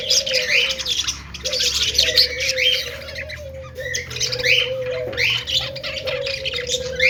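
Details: Happy, playful budgerigars keep up a busy mix of short chirps and harsh squawks, with a steady wavering tone running beneath and a soft low hum throughout.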